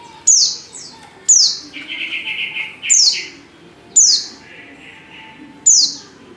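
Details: Female Oriental white-eye call for luring males to sing: high, falling chirps spaced a second or so apart, with a lower, buzzy, rattling phrase between them.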